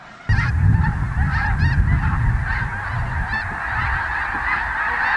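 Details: Thousands of wintering snow geese lifting off together around sunrise at Bosque del Apache Wildlife Refuge, New Mexico: a continuous wall of overlapping nasal honks and yelps over a heavy low rumble of wingbeats and wind.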